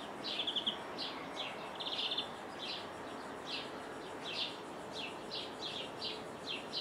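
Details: A European greenfinch in Jordan, heard through a window, gives bright twittering notes and two quick ringing trills, each under half a second, over a steady background hiss.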